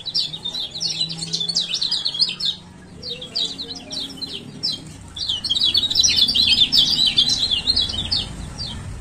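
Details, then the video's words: Lombok male Lemon-bellied White-eye, 'ciak ciak' lure calls for birds that will not open their beaks: a busy burst of high chirps, a short pause, then an even denser, brighter chattering run. "Pancingan Kecial Kuning Malas Buka Paruh"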